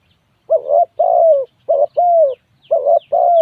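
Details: Cooing spotted dove repeating a soft, low two-note phrase three times, a brief wavering note then a drawn-out, gently falling hoot, with short pauses between phrases.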